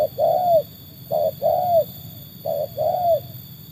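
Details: Cooing from a trained tekukur tested against wild doves: three paired phrases, each a brief low coo then a drawn-out coo that falls slightly at the end, spaced over a second apart.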